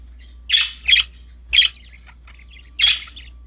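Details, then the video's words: Cheerful budgerigars playing with a new toy give four clipped, harsh chirps, two close together then spaced out, with a faint low hum behind. "Happy budgies chirping for lonely birds, singing, playing with a new toy"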